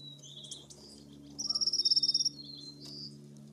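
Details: American bushtits in a flock swarming a suet cake give thin, very high tsit notes, then a quick buzzy trill of about a dozen pulses in under a second, over a low steady hum.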